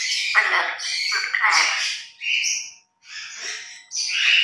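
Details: Grey parrots kept as pets imitating human words in their morning routine: several mimicked phrases in separate bursts, hoarse and breathy with bright whistled edges, a short silence near the middle.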